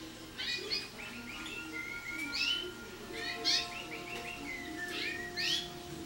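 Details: Young canary in early training using wild bird notes, called silvestres, to form compuestas, with some rolled tour; clusters of bright chirps alternate with long flat whistles, about every second or two, low hum beneath.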